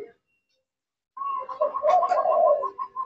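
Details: Zebra dove of the Mocca line, kept as a hobby bird, cooing: a brief silence, then a run of short mellow notes that swell into a louder rolling coo and trail off into spaced single notes.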